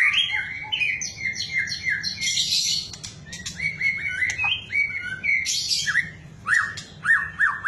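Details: Provoking song of a white-rumped shama, played to make other shamas sing boldly: rich, varied whistled phrases with quick upslurs and downslurs, interspersed with scratchy high bursts, continuous and loud.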